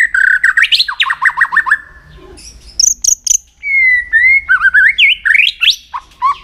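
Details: White-rumped shama trained for singing contests delivers a loud varied song: a quick string of about eight sharp slurred notes, a pause, then pure whistles, trills and looping phrases.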